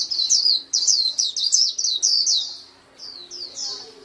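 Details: Rapid high chirps of a white-eye in a dense burst, tapering into a few separated slurred notes after a short lull.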